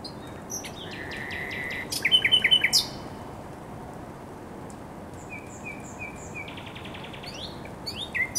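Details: Thrush nightingale singing along the Żerań Canal on 24 April 2022: a buzzy, scratchy opening, then a short run of five loud clipped notes, and long quieter stretches with faint distant phrases and a closing trill.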